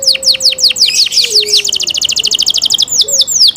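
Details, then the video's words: Canary giving fast descending whistled notes, then a rapid even trill of short chips and a few slower sweeps, with a faint low whistle beneath. "canary Nice sound"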